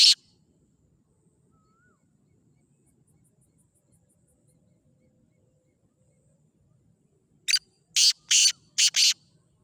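A Black francolin gives a loud, harsh, grating call of five rasping notes in quick rhythm. A single harsh note opens the clip, followed by long quiet.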